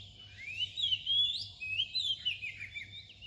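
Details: Oriental magpie-robin song at near-dawn hour: a rich run of fluty whistles swooping up and down without pause, loud and clear over faint low hum.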